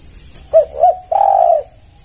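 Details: A single spotted dove lure call aimed at other doves: two soft short coos rising slightly, then a sustained low coo lasting about half a second.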